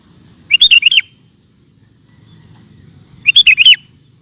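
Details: Sooty-headed bulbul singing energetically for tutoring cage birds: two identical bubbly phrases of about five quick whistled notes each, roughly three seconds apart, with quiet low murmur between.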